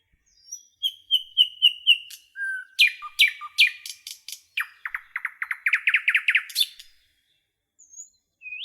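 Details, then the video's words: Nightingale singing in a forest: a varied phrase of evenly repeated clicking notes, swelling into a fast rhythmic run of sharp chirps, then a pause and a few thin whistles. "Canto do pássaro rouxinol na floresta"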